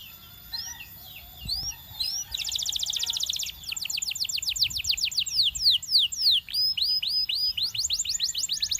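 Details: Singing Belgian canary, its song meant to seduce other canaries, mixes scattered thin upslurred whistles with a dense buzzy trill, then long runs of loud, clear descending sweeps repeated several times a second.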